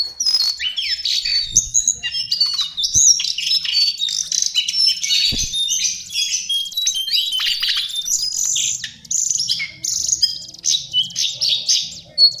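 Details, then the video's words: Continuous high, jumbled warbling from a lesser shortwing. Sweet whistles mix with chattering notes, and a few soft low knocks can be heard underneath. "Master Pancingan Burung cingcoang/jongkangan coklat"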